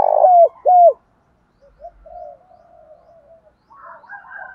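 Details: Spotted dove cooing from a male and female recording used to prompt captive doves to call: two loud coos that fall at the end, close together. Soft, low warbling chatter from other birds follows.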